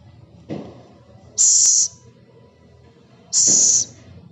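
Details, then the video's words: Scops owl (celepuk) giving harsh, high hissing bursts, each about half a second long, two bursts roughly two seconds apart; a short low thump precedes the first. "Suara burung hantu celepuk/ceguk"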